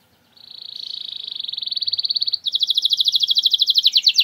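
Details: Canary singing as a lure for quiet canaries: a long, steady, very fast trill of high notes building in loudness, then switching abruptly to a slightly slower, richer rolling trill.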